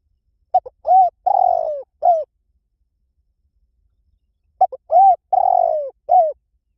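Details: Spotted dove cooing, a bird used to train decoy birds and cooing all day: two identical phrases about four seconds apart, each a few short clipped notes followed by a long, slightly falling, throbbing coo and a final short coo, in a quiet background.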